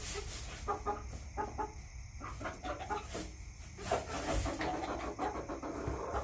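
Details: Chickens in a backyard cluck in quick irregular series, with bursts of overlapping clucks and a brief louder squawk, over steady low-frequency noise.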